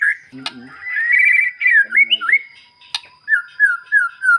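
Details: White-rumped shama song used as a lure to stir a quiet, silent shama into answering. Clear whistled phrases rise and fall between brief pauses, with a sharp click and a few low murmuring notes early on.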